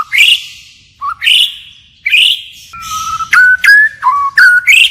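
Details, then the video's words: White-rumped shama singing a forest-style song with continuous changes of phrase: clear whistled notes sweeping upward, then a run of flat whistles with sharp rising flicks, delivered in quick bursts. "Chích chòe lửa hót giọng rừng hay đảo giọng liên tục"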